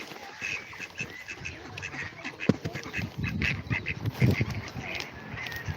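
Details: Ducklings and a mother duck at a pond in a water reserve, the little ones quacking: soft, low quacks and murmurs in a noisy, rumbling outdoor setting.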